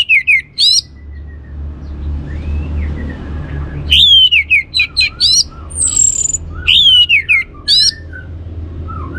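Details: Lure song of an orange-headed thrush, meant to set other birds singing: brief whistled notes, a quiet gap with soft rising whistles, then a rapid run of sharp varied whistles, chips and a high thin note, over low rumble.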